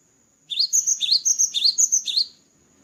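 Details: Cinereous tit singing vigorously after moulting: a quick run of about eight bright, high two-note whistled phrases, each a rising note dropping into a sharp slur, over roughly two seconds, with a thin steady high whine behind.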